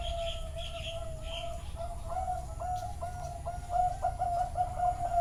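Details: Recorded live at a bird farm in Chana, Thailand, Zebra doves give rapid series of soft staccato coos, about two per second, growing louder toward the end; faint high chirps early on and low hum throughout.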